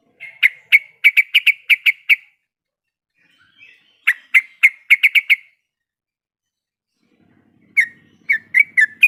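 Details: Sooty-headed bulbul hen in breeding condition, calling to a male. Three bursts of rapid, clear chirps, each a quick string of six to eight bright notes, separated by short silences.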